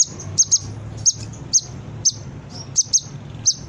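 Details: Brown-throated sunbird, recorded as a lure for training birds: clipped, shrill chips, often doubled, coming at an uneven pace of about two per second, low rumble behind.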